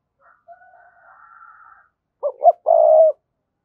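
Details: Spotted dove calling to a rival: faint drawn-out soft tones first, then a loud phrase of two brief hoots and a sustained, buzzy, even coo.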